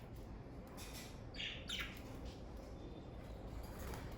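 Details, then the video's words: A family of pet budgerigars (parakeets): two brief squawky chirps follow one another in quick succession, then fall quiet against a constant low background hum. "Birds Chirping Sound Effect!"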